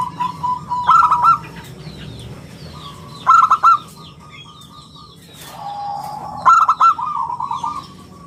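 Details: Local zebra dove singing in the 'round crystal' voice prized as a lure and tutor for other birds: three phrases of quick bubbling hoots about three seconds apart, with a steady low hum and scattered chirps behind.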